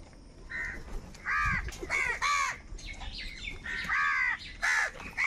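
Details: Crows gathered for food: scattered harsh, nasal caws from several birds, short bursts coming irregularly against a faint busy background.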